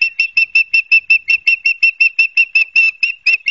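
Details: Nest-cam recording of an osprey at Barnegat Light, New Jersey, on September 12, 2022: a steady, unbroken string of about nineteen piercing whistled chirps, roughly five each second, all at the same high pitch.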